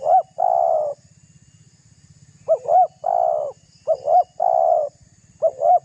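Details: Spotted dove calling to provoke rivals, a lure sound: a long burry coo, then repeated phrases of two quick hooked notes and a drawn-out burr, clear over a faint low pulsing hum.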